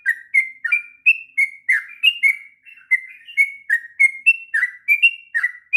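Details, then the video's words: Long, chattering song of a sooty-headed bulbul used as a master recording for tutoring young birds: a steady run of short whistled phrases, some slurred downward, others level and clear, spaced under half a second apart. "kicauan trucuk ngropel panjang...cocok untuk masteran trucukan bahan.."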